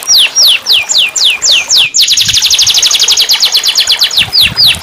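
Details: Canary song intended to restart a silent caged bird: a run of bright descending whistles about three per second, then a sudden switch to a very fast, ringing trill that continues to the end.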